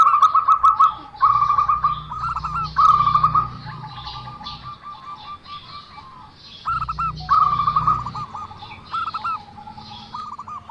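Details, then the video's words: Zebra dove giving an unusual call: bursts of rapid staccato notes at a steady mid pitch, run into short rattling series and pauses, over a low humming background. "perkutut suara aneh"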